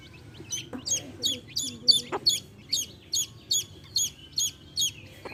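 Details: Hen accompanied by baby chicks; the chicks give shrill descending cheeps, roughly two or three per second, fairly even, with a few dull knocks and faint low clucking behind.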